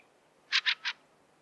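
A Fieldfare gives three harsh, rasping chack notes in quick succession, each lasting about a tenth of a second, against a quiet background.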